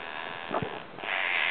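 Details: A pet 8-month-old Monk (Quaker) parakeet, looking out a window from behind a blind, growls at birds outside: a harsh, raspy, low grating rasp rather than a clear call.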